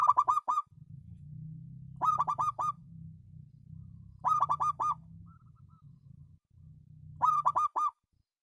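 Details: Local zebra dove singing: four bursts of rapid, throaty cooing notes with rich overtones, each burst of four to five notes, about two and a half seconds apart, over a steady low rumbling background.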